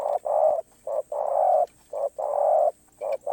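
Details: Spotted dove singing its คารมป่าร้อย style: rapid sequence of low, hollow coos alternating short and long notes, seven or eight in quick succession.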